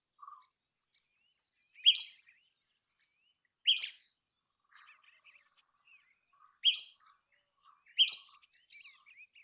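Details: Loud, abrupt double-toned chirps from a common tailorbird, repeated at uneven gaps of one to three seconds, with soft scattered chirps and a thin low whistle in the pauses.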